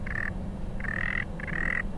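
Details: A male Sanderling gives its display vocalization on Bathurst Island in the Canadian Arctic, recorded during a break in the weather: three buzzy, rattling trills, each about half a second, evenly pitched and spaced, over a steady low rumble of wind.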